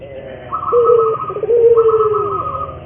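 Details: Puter dove in a lure track for training local doves: a short coo and a long falling croo, with a steady higher tone sounding over it twice.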